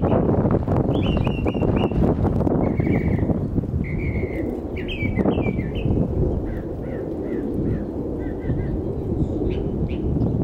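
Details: Northern mockingbird in a neighborhood, recorded with a camera propped on a car: a varied string of phrases, chirps, whistles and rapid repeated notes, each type given two to four times, with loud wind rumble and bumps.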